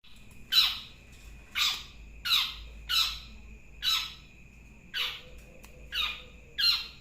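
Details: Long-tailed shrike giving harsh, raspy, descending squawks, each a short burst repeated roughly once a second, with a steady faint high tone running underneath in a quiet indoor setting.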